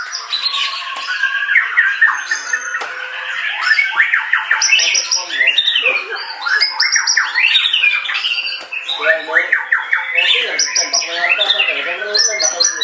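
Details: White-rumped shama in long, vigorous song. Rapid chattering phrases, harsh squawk-like notes and bright whistled slurs are delivered almost without a break, loud and varied throughout.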